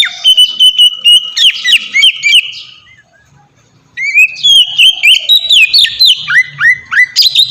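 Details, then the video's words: Song of an Oriental magpie-robin intended as a lure for captive birds: a whistled phrase with chatters, about a second of quiet, then a brisk, varied run of sweet slurred whistles. "suara burung kacer ngeplong merdu sangat ampuh buat pancingan kacer bahan bikin cepat gacor"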